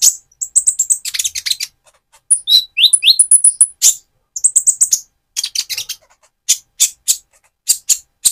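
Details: Speckled Van Hasselt's sunbird in full lively song used to provoke another bird: dense runs of very high sharp chirps broken by short downward-slurred whistles and thin high trills, pausing briefly between phrases.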